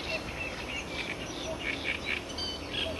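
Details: Eurasian blue tit recorded at Toffo, Villa d'Adda, Italy, on 14 May 2008: short high chirping notes repeated rapidly and somewhat irregularly over a noisy, hissing background.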